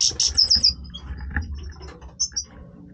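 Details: European goldfinch in breeding voice delivers a fast string of clear, high, tinkling notes that slide slightly downward, then pauses before two more bright chirps. A low hum runs underneath.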